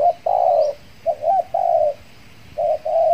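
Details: Spotted dove decoy luring wild birds in Kepri after moulting; close loud coos: a long held coo, a short rising wavering note, another long coo, then a paired phrase, with a faint high chirp.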